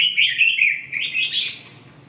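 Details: Red-whiskered bulbul phrase: a clear wavering whistle held level, then climbing into a brighter, higher trill that fades out.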